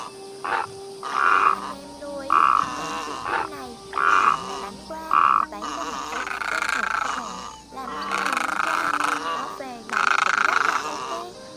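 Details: Great egret flock calling, a lure for trapping or shooting: five short, hoarse squawks roughly one per second, then longer, overlapping raucous croaking from several birds, harsh and grating.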